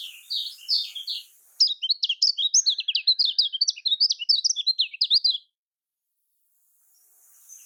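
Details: Lemon-bellied white-eye (kecial kuning), in the typical Lombok style, used as a lure to get quiet birds singing: rapid high twittering with sharp zigzag notes, about five seconds of fast chatter, then sudden silence and faint hiss.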